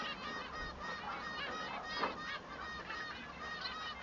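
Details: Singing male Bengalese finch, which differs from the female: continuous nasal, honking harmonic notes in a fast jumbled stream, with one brief louder note near the middle.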